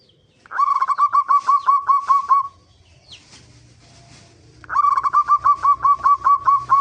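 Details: Zebra dove song meant to lure other birds into singing: a quick rolling series of cooing notes, a pause with soft low rumbling, then another equally rapid run of bouncing notes.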